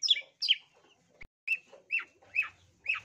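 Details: Long-tailed shrike giving harsh downslurred notes as part of a lure song, about one every half second, each a short scratchy chirp, with a single dry click in between.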